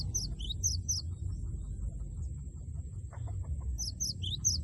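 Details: Cinereous tit with a loud 'wucit wucit' song to make a rival join in: brief runs of sharp high double notes at the start and end, with low background noise and faint lower clicks between.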